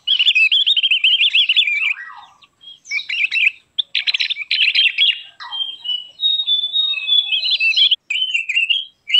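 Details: Javan grey-throated white-eye singing, a recording meant to lure and tutor birds: wavering trilled phrases and quick twitters separated by short pauses, ending in clear slurred high notes.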